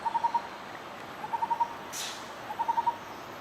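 Lineated barbet giving short bursts of four or five mellow, hollow hoots on one low pitch, each burst about a second apart, with a brief noise burst between.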